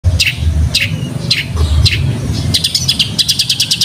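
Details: Long-tailed shrike training recording for cage birds in the sparrow-fight roll-speed style: four sharp, high descending chirps about half a second apart, then a fast run of clipped, repeated ticking notes, over a low steady hum.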